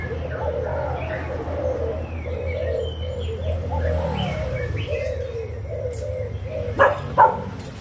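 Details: Young spotted doves of Malaysian and Thai stock, kept for sale, recorded 24 June 2021: low, soft coos repeated in overlapping runs over a steady low hum, with two sharp clicks near the end.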